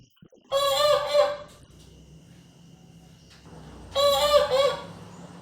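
A rooster gives two harsh, drawn-out crows about three seconds apart, each rising then breaking off, over a low background hum.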